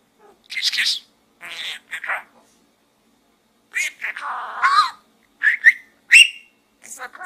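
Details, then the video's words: Pet budgerigar talking from inside a small gourd: scratchy chatter bursts, then a run of mimicked speech-like syllables and short bright chirps near the end, with silent gaps between. "Bird Talk in the small gourd Part 2 - Pedro the Budgie"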